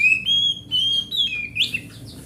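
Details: Grade A oriental magpie-robin, a large forest bird whose song is used to get a mute magpie-robin singing: long pure whistles, level then gliding, linked in a smooth phrase closing with a rising twist.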